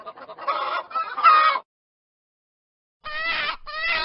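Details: Chickens give a burst of rapid, nasal clucks and rising squawks, fall silent for over a second, then resume with another loud run of clucking.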